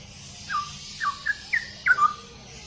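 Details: Straw-headed bulbul singing in ropel style: five soft, slurred whistles that drop in pitch, about two per second, fairly quiet beneath a hissing background.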